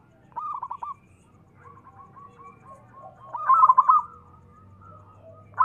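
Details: Local zebra dove used to prompt quiet or stressed doves to call: a short stuttering burst, then a soft trilled coo series rising into a louder rolling phrase, with faint low hum beneath.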